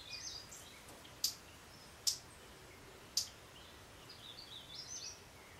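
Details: Two male hummingbirds jousting over a feeder give three sharp, high chips about a second apart, with faint squeaky twittering at the start and end over a steady hiss of background noise.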